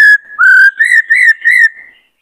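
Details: White-cheeked laughingthrush, a caged male in breeding condition, delivering long, loud, pure whistles on one steady pitch, broken into four drawn-out notes that rise slightly toward the end.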